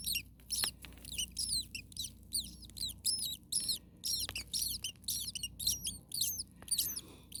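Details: Young common starlings in an attic nest, very hot at about 40 degrees Celsius, parent close by: an unbroken stream of shrill, high-pitched squeaking calls in quick bursts, loud and crowded throughout.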